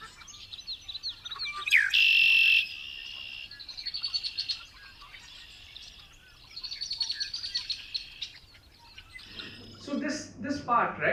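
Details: Red-winged Blackbird song given as an example of signal degradation: a few clipped notes and a rising slur, then a fast, even, buzzy trill that degrades quickly and does not carry far, then more chattering phrases; a man starts talking near the end.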